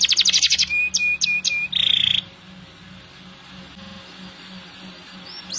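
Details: Canary master song in gacor style: about two seconds of rapid high trills and a sustained buzzy note, then near silence with faint background hum.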